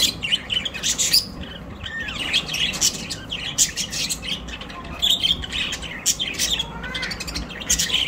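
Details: Budgerigars, colorful parrots kept at home and flying indoors, in Larkana, Sindh, recorded September 12, 2023: dense high chirps, squeaks and warbling chatter from several birds overlapping continuously, with faint low rumbling noise underneath.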